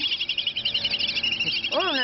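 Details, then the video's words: Several whistling ducks fighting over food give a dense stream of shrill, overlapping whistles; a man's voice breaks in near the end. "Whistle Duck Fight"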